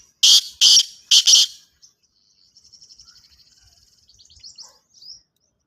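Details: Black francolin, known locally as kala tetar or Sindhi tetar, calling: three loud, harsh, grating notes in quick succession, followed by faint high twittering.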